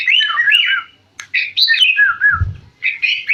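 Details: Lively song of a sooty-headed bulbul: quick chattering phrases of warbled, wavering whistles that dip and rise, broken by a brief click and a low thud.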